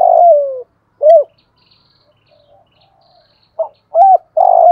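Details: Spotted dove decoy in thổ bầu voice style, used to call wild doves in. Opens with a long falling coo and a round coo, goes quiet with faint distant chirps, then resumes with a short note and two loud coos.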